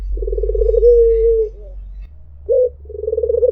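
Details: Low rolling, tremulous purr of a white Barbary dove flowing into a smooth sustained falling note, then a brief sharp upward note and another pulsed purr, in the mpuk jeruuu style.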